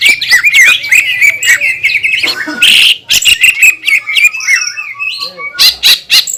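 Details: Green leafbird singing hard to provoke others of its kind: dense warbling chatter of twittering and whistled notes, a loud rasping burst near the middle, then scattered clicks and squeaks.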